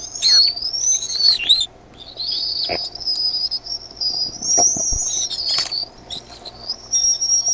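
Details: Nest of bald eaglets at Decorah, 13 May 2015 around 6:35 PM, calling more as a parent lands with food; a run of shrill, high, wavering whistles, some dipping and rising, with a short pause and faint knocks.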